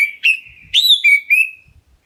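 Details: Loud whistled calling of a black-breasted oriental magpie-robin, used to provoke other birds into answering, with a held clear tone, then three quick bright notes, one rising and bending down, ending in a level whistle.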